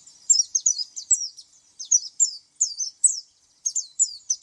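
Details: High, thin warbling of an oriental white-eye, fast downslurred chirps bunched in short runs with brief pauses, on a quiet background.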